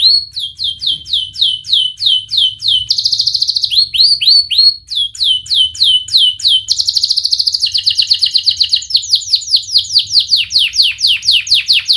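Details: Singing canary used as a lure for young canaries learning to sing: continuous sequence of sharp descending whistled notes and fast trilled tours changing pitch every few seconds.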